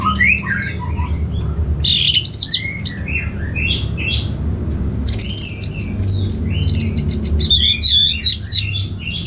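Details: Orange-headed thrush kept in Singaraja, North Bali, for bird-training therapy; rich, continuous song of looping whistles, sharp high chips and slurred phrases, full throughout, with a soft low hum behind.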